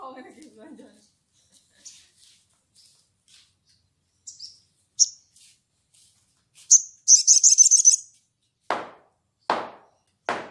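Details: Sogon calling to a rival: scattered thin high chirps, then a rapid sharp trilled burst of notes lasting about a second, followed by three dull low thumps.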